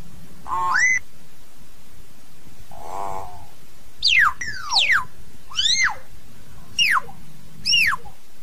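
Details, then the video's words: Common hill myna singing to call its flock: a rising whistle, a harsh nasal burst, then a run of sharp descending and arched whistles, one every second or so. "Tiếng Nhồng hót, tiếng Yểng hót gọi đàn"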